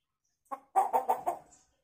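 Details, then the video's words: Hill myna mimicking a chicken, giving one short note followed by four quick, raspy clucks in a brief cackling burst. "Burung beo gacor fariasi suara ayam"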